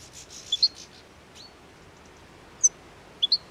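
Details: European goldfinches feeding on plane tree seeds in winter along the Anapodaris river, 17 January 2021: a few short, high chirps and a twittered note scattered over quiet background.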